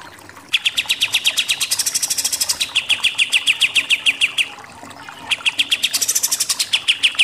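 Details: Pied triller with a super 'nembak-nembak' song, kept as a master recording for training contest songbirds. Long bursts of rapid, sharp, evenly spaced notes rise and fall slightly, about three per second. A short pause splits two strophes.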